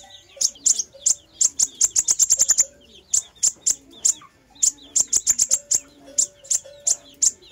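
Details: Fire-breasted sunbird song, played as a lure: sharp, very high chirps in quick runs, speeding into tight bursts, then brief pauses before new series; a faint steady low tone hums beneath.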